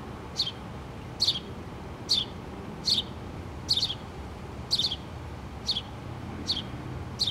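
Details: House sparrow mother with her two chicks in a pole nest, 8-3-2017: nine bright, descending chirps, some doubled, repeated under a second apart over quiet background.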